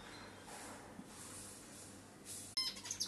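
A zebra finch bursts into a quick run of harsh, buzzy, nasal song notes after a hissing pause.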